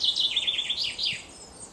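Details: Eurasian nuthatch, one of a pair feeding young at Mere Sands Wood, Lancashire, 1 June 2013 at 15:04, calls a quick run of high, downslurred chirps, about seven in under a second, then two longer falling notes over faint hiss.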